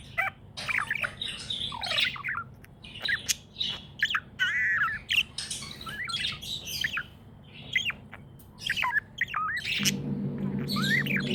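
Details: Happy pet budgerigar chattering steadily: rapid scratchy chirps, squawky notes and short whistled slurs, nearly continuous for eleven seconds, with a low electrical hum rising toward the end.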